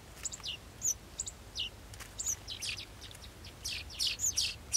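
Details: Baby golden sparrows begging while awaiting food: rapid, high-pitched, sharp chirps, some downslurred, coming in quick irregular bursts that grow denser and louder toward the end.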